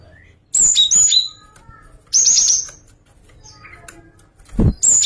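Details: Java sparrow giving a song variation: clipped bursts of high chirps and slurred whistled notes, about every one and a half seconds, with faint scattered soft notes and a low thump between.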